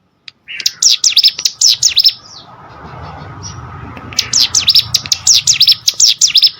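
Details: Prinia (prenjak gunung) song for training competition birds: bursts of rapid high chirps separated by a pause filled with low background rumble.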